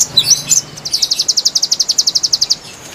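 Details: Konin song used as a lure for wild birds: a few sharp high chirps, then an even, rapid run of about twenty bright, high-pitched notes, all very high and clear over a quiet background.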